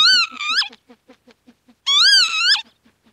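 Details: Northern lapwing giving two strained, nasal calls that rise and fall, each closing with a sudden upturn. A steady series of soft, regular clicks runs between and after the calls.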